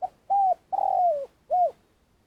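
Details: Vietnamese spotted dove kept as a trapping lure, doing its long call. A clipped first note is followed by a clear coo, a long sliding croo that drops in pitch, and one more rounded coo. The background is quiet.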